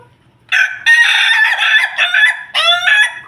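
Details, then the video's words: Ayam Ketawa chicken kept with a family of Pelung Bangkok chickens; loud harmonic crow broken into several stuttering, laugh-like segments over about three seconds, with a short pause before a final rising burst; quiet background. "Ayam ketawa bersama keluarga ayam pelung Bangkok"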